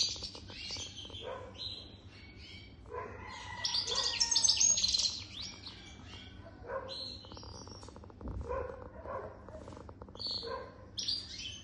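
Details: Goldfinch song from a bird over three years old, given in bursts of rapid, bright twittering and chirps separated by short pauses, with a louder tinkling phrase midway and a dull thump near the end.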